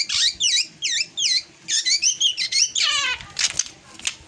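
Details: Unusual drongo song: a quick run of bouncy, up-and-down whistled notes about three a second, ending in a descending buzzy trill and harsh rasps.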